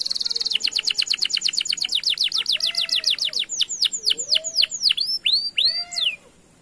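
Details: Canary lure song, played to prompt silent canaries into singing: a fast, high buzzy trill opens, then slows into a series of sharp descending whistled sweeps, roughly four notes per second, ending abruptly.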